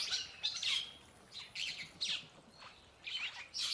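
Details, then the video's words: Purple glossy starling giving harsh, squeaky chatter and short slurred whistles in bursts about every half second to a second. "Purple starling (Lamprotornis purpureus) | sound | call | song"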